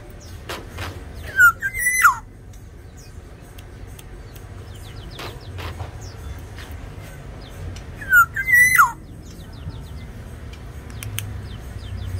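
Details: Tame Sumbawa-type black-naped oriole singing actively: two loud fluty whistled phrases, each dipping and rising then sliding down, spaced about seven seconds apart, over low background rumble and scattered faint clicks.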